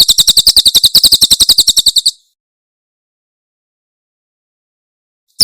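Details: A short burst of clipped, high, rhythmic chips from a Javan prinia (Tembakan Cililin) tutor recording for cage birds, about two seconds long, followed by silence.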